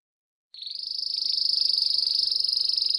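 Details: Timbrado canary song used to train young birds: a rapid, high, metallic rolling trill that pulses about twenty times a second and stays steady in pitch, with nothing else clearly heard.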